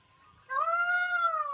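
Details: A single loud peacock wail begins abruptly and is held as an even, ringing note with rich overtones. The voice is described as sharp, and such cries are believed to foretell a thunderstorm or rain.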